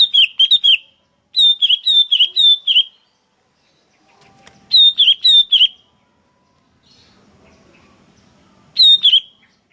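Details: Sooty-headed bulbuls calling back and forth, lively lure and tutor sound: quick clusters of bright, ringing chirps, three to five notes per burst, separated by short silences, with a faint low rumble in the gaps.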